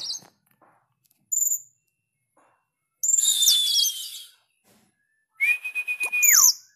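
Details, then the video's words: Oriental magpie-robin in energetic song, sharp-toned: brief piercing notes, a harsh buzzy phrase sweeping downward, then a long steady whistle with a pulsing texture that drops away at the end. "Kacer gacor ||suara tajam"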